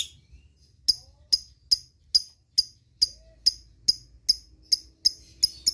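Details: Lovebird calling companions: thin, high, clicky chirps spaced about every half second after a quiet start, steady in rhythm and quickening slightly at the end.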